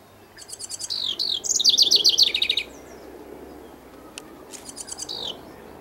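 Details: House wren; song; singing to its mate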